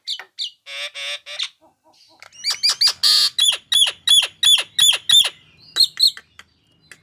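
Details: Nias hill myna singing loudly: a few harsh buzzy notes, then a steady run of short sharp whistles, about three per second, each with a bright upward flick, ending in scattered calls.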